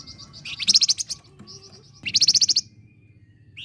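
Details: Flame-breasted flowerpecker in lively song, used as a lure for training competition songbirds: two loud, rapid high trills of sharp repeated notes, separated by softer thin ticking notes.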